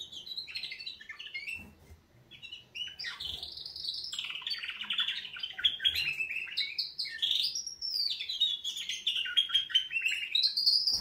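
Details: Canaries in wake-up song, a long sustained stream of rapid high trills and rolling warbles, rising and dipping in pitch, scarcely stopping for breath over about ten seconds.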